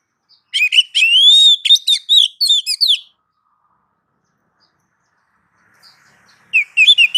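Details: Masteran song of the kacer, or Oriental magpie-robin. A lively phrase of choppy chirps and a long arching whistle, then a pause of about three seconds before another rapid chirping phrase begins.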